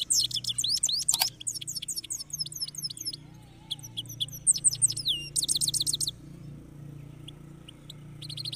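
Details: Caged European goldfinch singing in a red cage, a rolling song of rapid high twittering notes and buzzy trills in bursts, with a steady low hum beneath.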